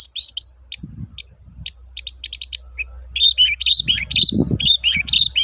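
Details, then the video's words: Long-tailed shrike 'toet-toet' lure song for training birds: high scratchy chatter and a string of sharp ticks, then warbled, rising-falling whistled phrases, with low rumbling noise in the background. "BURUNG CENDET GACOR TOET-TOET, PANCINGAN AMPUH SAAT INI"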